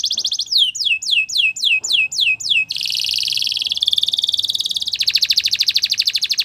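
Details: Belgian canary singing: a run of sharply descending whistled notes, then a dense buzzy trill and a second rapid rolling trill, all high-pitched and rhythmic, about three per second at first, then much faster.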